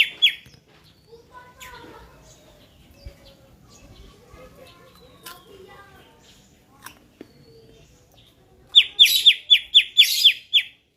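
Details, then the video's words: Caged greater green leafbird in a red cage, kept singing for competition: faint scattered chirps and twitters for most of the time, then a loud run of about eight sharp, evenly repeated high notes near the end. "cucak ijo🐦kandang merah ebod burung buat lomba,harian gacor"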